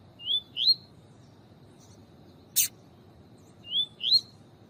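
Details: Double-collared seedeater in tui tui style with a chirping female meant to excite the male: two pairs of short rising whistled notes separated by a pause, and one sharp click in between over a low hiss.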